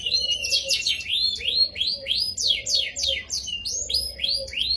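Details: Canary song used to draw other canaries into singing, here slower and more spaced: distinct rising and falling whistled slurs and quick downward sweeps, several per second, with a faint low hum behind.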